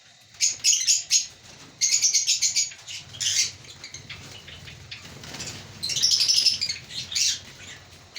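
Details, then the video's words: African lovebirds in a breeding colony, caged, giving rapid bursts of high, harsh chirps and chatter in clusters, with short quiet gaps and a low background hum. "Lovebird Singing & Chirping Sounds"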